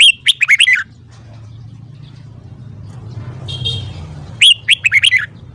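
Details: Red-whiskered bulbul singing in the morning, used to coach birds' voices: two bright phrases of five or six fast whistled notes, separated by a quiet gap with a low rumble and a brief buzzy sound.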